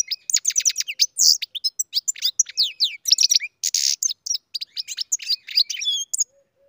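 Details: Bred-in-captivity goldfinch pours out a vigorous, varied song of fast tinkling notes, sliding chirps and harsh buzzy bursts, ending with a short soft low note.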